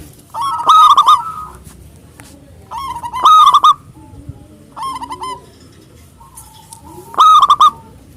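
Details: Local zebra dove, loud and persistent, singing to call rivals: three strong rolling coo phrases about two to four seconds apart, interleaved with quieter answering coo phrases.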